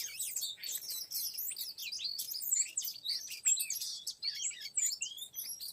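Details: Oriental magpie-robin sound used to lure a young wild male: a dense, jumbled torrent of short chirps, twitters and brief whistled slurs, steady throughout with small louder peaks.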